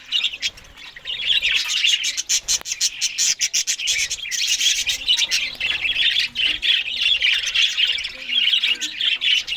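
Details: Australian budgerigars eating green food in the morning produce unbroken high warbling and chirping chatter, peppered with sharp clicks and crunching ticks from feeding.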